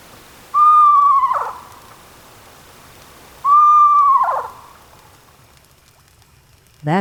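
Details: An Eastern Screech-Owl recorded in the wild gives its trill: two soft, whistled notes about three seconds apart, each holding steady, then wavering and sliding down like a gentle, quiet whinny. A brief voice follows.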